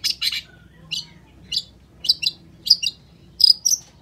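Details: Long-tailed shrike (cendet) singing, played as a lure to get quiet shrikes to answer: sparse, high, scratchy double notes spaced about half a second apart, with a few faint thin whistles between them, against a quiet background.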